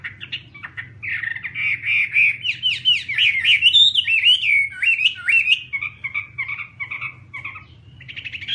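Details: Chinese hwamei singing a rich, varied run of loud slurred whistles, rising and falling in quick succession, about three per second, ending in a string of shorter clipped notes.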